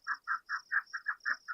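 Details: Chukar partridge (Alectoris chukar) calling in the Pueblo Mountains above Cottonwood Creek, on steep rocky slopes in the young-rearing season; chukars direct their young and head to water around mid-afternoon. Loud, harsh clucking notes, about five a second, over a thin insect hiss.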